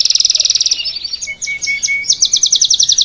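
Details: Salsa canary in song meant to teach its chick: a fast rattling high trill, a short varied passage with a soft low whistled tone, then another rapid trill of even notes.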